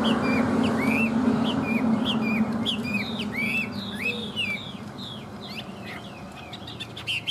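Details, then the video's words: Vietnamese tame hwamei singing: a string of quick rising and falling whistles over loud low background noise and a low droning hum at the start. "Họa mi thuần hót tốt"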